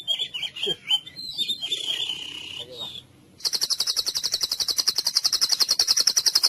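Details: White-rumped shama masteran in full cililin style, used to train contest birds: varied whistled phrases and a warbled passage, then after a pause a fast, steady high trill repeated for several seconds.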